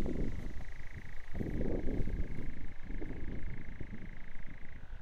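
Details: A European nightjar churrs on Blackheath, Surrey: a steady, dry, mechanical trill held at one pitch for nearly five seconds, over a low rumble of wind or distant traffic.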